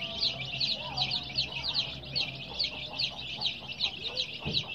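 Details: Many colour-dyed baby chicks kept under heat, giving a dense chorus of high peeping chirps, roughly two or three per second, overlapping continuously with a low steady hum beneath.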